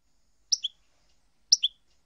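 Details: European goldfinch from a compiled set of song segments: two identical short, sharp double notes, each a high chip dropping to a lower note, one second apart, with silence between.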